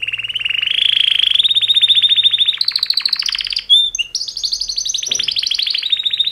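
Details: Canary mating song by two males: a long rising rolling trill, a higher rattling trill, a few sharp chips, then another extended trill gently descending in pitch.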